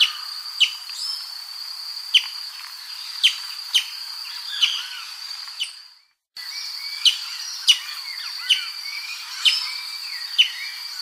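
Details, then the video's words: Brazilian tanager repeating sharp, clipped, descending notes at uneven intervals of roughly one to two seconds, with a constant high-pitched buzz and soft chirps behind, broken by a brief silent gap. "CANTO DO TIÊ SANGUE"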